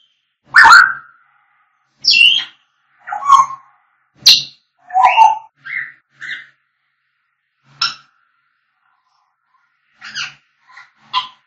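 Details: African grey parrots singing and whistling: a varied run of harsh squawks, short piping whistles and chattering notes, irregularly spaced, louder at first and softer toward the end.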